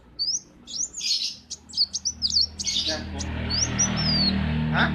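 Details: Kept sunbird (kolibri wulung) singing in the morning at a workshop: thin high twittering notes and short rising whistles in bursts, then a steady low hum of workshop noise and a man talking underneath.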